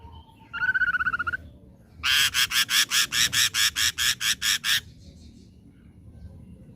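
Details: Ashy drongo, a young bird caught from the forest, in full song: a brief whistle and quick tremolo phrase, then about a dozen harsh, buzzy notes repeated rapidly and evenly.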